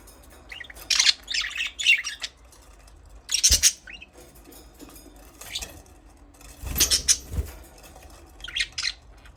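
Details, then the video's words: Budgerigar chirps in separated bursts of harsh, high chattering notes, with faint low thumps and quiet stretches between. "Budgies parrot chirping sound"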